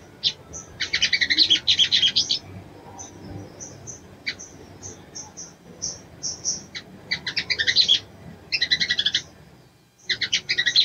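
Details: A female crimson sunbird summons the male, alternating bursts of rapid high chattering chips with short quieter pauses of isolated thin notes, the bursts recurring several times.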